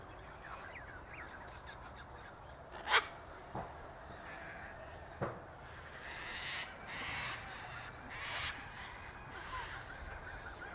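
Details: Sulphur-crested cockatoos (Cacatua galerita) in winter, eating scattered seed at an eastern gate, give harsh, rasping screeches in several bursts after a few sharp knocks, against a steady hiss of background noise.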